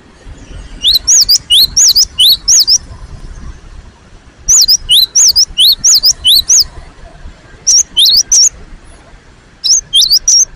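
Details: Insistent singing by a cinereous tit (gelatik batu): four phrases of rapid, high, looping whistles, five to eight notes each, spaced by short silences.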